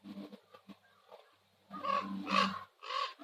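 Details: At sunset on Nose Hill in Calgary, common ravens give a few soft, short notes, then a run of louder, rough, drawn-out croaks that swell and fall.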